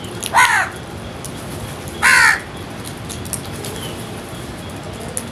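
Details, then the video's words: Two loud, coarse caws from feeding crows, roughly one and a half seconds apart, followed by quiet background. "Crows Sounds"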